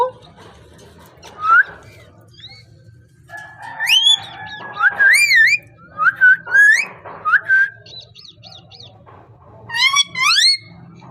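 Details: Parrot giving a varied run of whistled notes, short upward sweeps and looping squeaky phrases, some in quick doubled bursts, separated by quiet gaps over a faint low hum.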